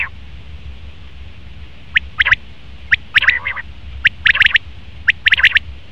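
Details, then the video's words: Common quail male uttering clustered sharp high notes in rapid triplets, with a short lower raspy growl among them, phrases spaced about a second apart. "Best Common Quail Male sound/Nar batir ki awaz"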